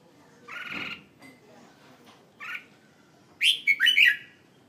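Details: Red-whiskered bulbul kept as a caged decoy bird in Hanoi, Vietnam: two short warbled notes, then a loud burst of rich, tumbling whistled phrases near the end.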